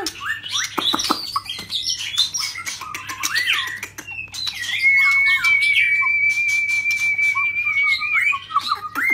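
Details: Rít thuốc lào song of a shrimp-tail white-rumped shama: scratchy, clicking warbled phrases give way to a very long, pure, level whistle held roughly four seconds, then a brief twitter; faint hum throughout.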